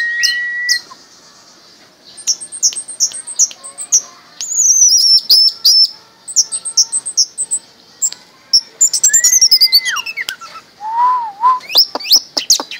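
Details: Pet orange-headed thrush raised from small, singing 'mabok': strings of high ticking chirps, a descending warbled run, a rising and falling whistle and low wavering notes.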